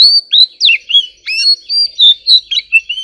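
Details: White-rumped shama in competitive singing: a rapid, steady run of clear whistled notes, rising and falling slurs alternating with short chirps, about three notes a second, with no pauses.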